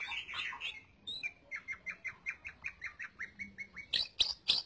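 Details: Training song of a lesser green leafbird: opening warbles, then a steady series of short rising-falling whistled notes about four per second, closing with a few loud piercing high chips.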